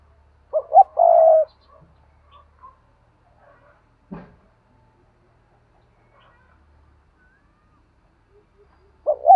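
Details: Spotted dove paired cooing: a pair of short notes leading into a long, soft coo at the start. A single sharp click sounds midway, and the next phrase begins just as the recording ends.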